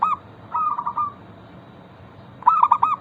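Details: Local zebra dove song meant to draw other doves into singing: a brief coo, a softer rolling trill, then a loud stuttered burst of several clipped notes at the end.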